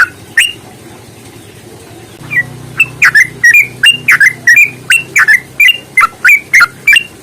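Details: Yellow-vented bulbul in a long, rapid fighting song used as a lure to set other birds singing. After two quiet seconds with low hum, clear whistled notes arrive about three per second, each bending around a mid-high pitch.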